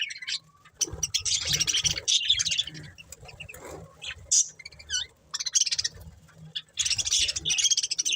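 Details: Budgerigars from a breeding pair and family giving alternating bouts of dense high warbling and single sharp chirps, with quieter gaps between the louder chattering spells.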